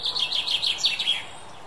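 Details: British chaffinch, a brief song fragment: about six bright, slightly descending notes repeated at an even pace, cut off without the closing flourish, over quiet background hiss.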